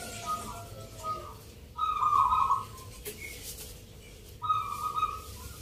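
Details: Zebra doves at a Yogyakarta singing contest for Nglagu Ngepat Mentaraman rhythm. Separate trilled coo phrases rise out of a quieter background, the loudest near the middle and another near the end.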